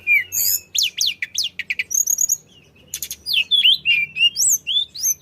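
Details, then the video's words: Flycatcher (tledekan) in full energetic song, played to prompt other birds to sing; quick downslurred whistles, tight clusters of high chirps and sweeping notes in irregular bursts over a faint low hum. "kicau tledekan gacor ampuh untuk pancing bunyi"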